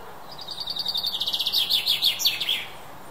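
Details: Song of a British chaffinch: a rapid series of high repeated notes that speeds up and drops in pitch through the phrase, then ends in a bright, emphatic flourish, with faint steady background noise.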